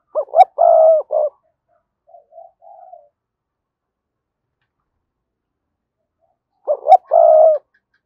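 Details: Spotted dove coos used to make wild doves call back: a phrase of two quick notes, a long coo and a short note, quiet murmurs, then the phrase again about six seconds later.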